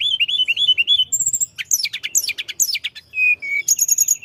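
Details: Short burst of rolling mountain flowerpecker song intended to agitate rival birds: a run of wavering whistled notes, then dense high chips and quick buzzy trills, a low hum behind.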